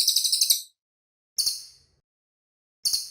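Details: Clear, clean cililin bird song with sharp, high buzzy trills of fast repeated pulses. Three short bursts are broken by silent gaps.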